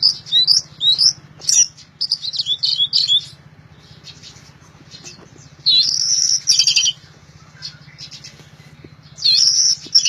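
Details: Orange-headed thrush in loud song, opening with a quick run of high whistles and twittering, then dense buzzy bursts roughly every three to four seconds, with a low hum persisting.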